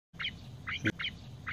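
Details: A female quail gives short, squeaky two-part calls about twice a second, each a bright chip sliding up then down. A low background rumble runs underneath.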